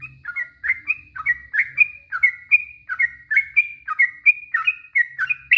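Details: Yellow-vented bulbul, used to provoke other bulbuls to answer, sings a long run of short, bubbling whistled phrases that alternate between higher and lower notes, about three per second, with faint low hum beneath.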